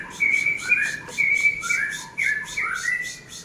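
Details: Caged Oriental magpie-robin singing after dry sauna grooming. Clear whistled phrases alternate with slurred notes and come in bursts about a second apart. Rhythmic high-pitched buzzy pulses run throughout.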